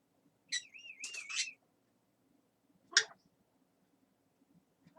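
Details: Talking parrot at home giving a sharp chirp, a wobbling whistled trill with harsh noise over it, then one isolated rasping squawk, over a low steady hum.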